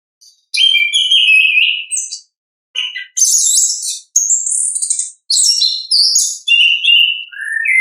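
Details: Natural ngeplong song of an orange-headed thrush, a long varied run of whistles, rich buzzy chattering and high sweeping notes with brief gaps, ending on a lower rising whistle; background otherwise quiet.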